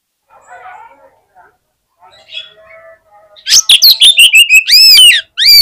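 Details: Quiet murmuring and faint chatter give way to a loud Oriental magpie-robin fighter at a song contest, bursting into fast sharp repeated notes and arched ringing whistles.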